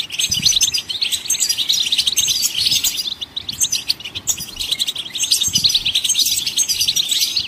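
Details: Singing goldfinches, used to stimulate other songbirds to sing, give a long, steady chatter of high tinkling chirps and trills with brief dips between phrases.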